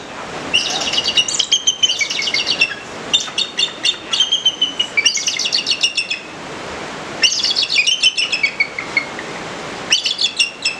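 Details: Bald Eagle kept as a resident bird at the Alaska Raptor Center, calling in rapid chittering series of high, shrill piping whistles, bursts repeating every second or two with short gaps between runs.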